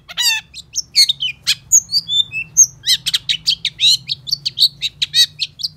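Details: Long-tailed shrike singing vigorously, used to prompt silent shrikes to sing: a fast, varied medley of harsh buzzy notes, thin high whistles and short chirps, tumbling on almost without pause over a faint low hum.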